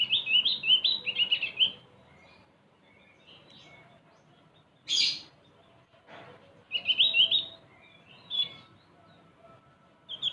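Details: {'caption': 'Javan white-eye giving short bursts of high, rapid, scratchy twittering, separated by quiet gaps, with one sharp noisy click in the middle.'}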